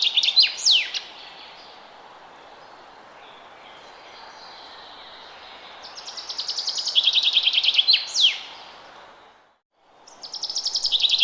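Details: Early spring forest ambience with a bird repeating its song three times: each a fast, slightly falling trill of chirpy notes ending in a quick downward sweep, separated by quiet gaps of soft hiss.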